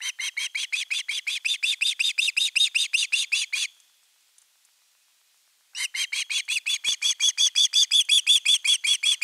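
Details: Finnish osprey nestling calling at length for fish, 10 August 2021: long runs of fast, shrill, rasping whistled notes about three per second, broken by a two-second pause, then resuming strongly.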